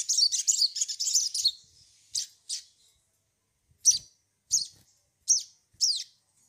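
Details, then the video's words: Sunbird on a lure track for making birds sing: a quick, high, jumbled twitter lasting over a second, followed by separate sharp, high notes about every half second to a second. "pancingan sogon bahan agar bunyi"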